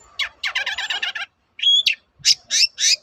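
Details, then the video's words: Long-tailed shrike singing in a lure recording meant to make other shrikes answer: a harsh rattling chatter of rapid buzzy notes, then a short whistled phrase and three loud, scratchy bursts. "BANYAK CENDET NYAUT MENDENGAR SUARA BURUNG CENDET GACOR INI"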